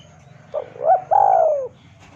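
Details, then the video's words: Spotted dove lure call meant to draw a rival into calling back: a three-part cooing phrase, short low note, rising hooted coo, then a long falling coo, over a faint low hum. "PANCINGAN SUARA BURUNG TEKUKUR DERKUKU MEMANGGIL LAWAN IKUTAN BUNYI"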